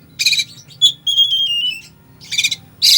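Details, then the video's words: Oriental magpie-robin song full of fill-in phrases to spur a listless bird: a harsh burst, then a sweet sustained whistle sliding gently downward, followed by two more rasping bursts. "Kacer full isian , cocok buat pancingan emosi Kacer lemot"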